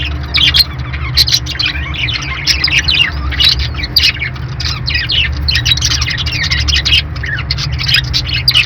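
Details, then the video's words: Steady budgie chatter of rapid high chirps, warbles and occasional sharp tweets running almost without pause, set against a low continuous hum. "budgie birds sounds"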